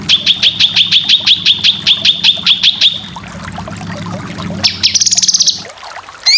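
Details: Full besetan cucak kinoy song for competition bird training, with roughly thirteen sharp notes repeated quickly in a row before a brief, high, fast trill.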